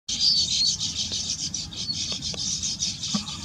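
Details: Baya weaver (Ploceus philippinus philippinus) beginning nest building gives a dense, high, buzzy chatter with thin whistled notes running unbroken for several seconds, with faint low rumbling noise beneath.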